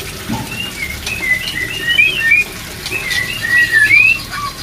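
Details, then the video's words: Breeding-drive therapy song of white-rumped shama: a flowing series of smooth whistled notes, mostly level or gently rising, strung closely together, over a quiet background hiss. "TERAPI MENAIKAN BIRAHI MURAI BATU INI"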